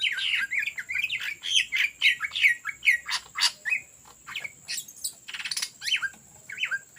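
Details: Greater green leafbird in lively ngetrok song, recorded as a lure: dense burst of twisting whistles and sharp clicks, thinning toward the end into scattered buzzy chips and occasional slurred notes.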